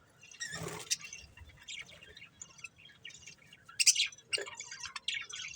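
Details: Soft scratchy chatter from a breeding pair of budgerigars, with a few louder sharp chirps standing out against a quiet, rustling background.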